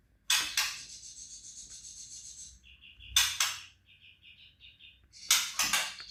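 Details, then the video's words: Competition white-rumped shama delivering trotol song: rapid strings of evenly spaced short notes between three loud, harsh broadband bursts that fade out slowly. "TROTOL MURAI LOMBA"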